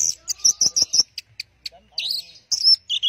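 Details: A teler song from an Orange-headed thrush, made of a rhythmic string of high sharp chips, short clicks, and then twisting whistled phrases that rise and fall.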